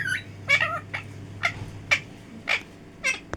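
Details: Pet parrot talking in short, clipped syllables, with six or so brief harmonic bursts at fairly even intervals, some sliding downward, against a soft background hum.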